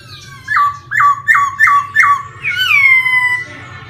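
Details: A forest laughingthrush sings five quick, rich whistled notes, each dropping in pitch, then a longer bright slurred phrase, over a low indoor hum.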